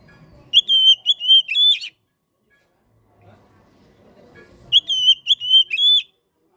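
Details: Kacer, or Oriental magpie-robin, gives a loud, prolonged song for tutoring and coaxing birds that have stopped singing: two bursts of sweet whistled notes, steady then upslurred, several seconds apart, with soft low background noise between.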